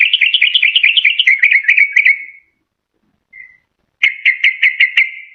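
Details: Yellow-vented bulbul recording used to lure wild birds or to encourage a silent caged bird: a run of quick whistled notes fading into a drawn tone, a brief faint note, a pause, then the quick notes resume.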